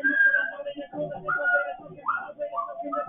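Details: African grey parrot kept as a pet, attempting a freestyle rap for the first time: long level whistles and short rising whistled notes over a bed of low, chattering, speech-like syllables, delivered in uneven phrases.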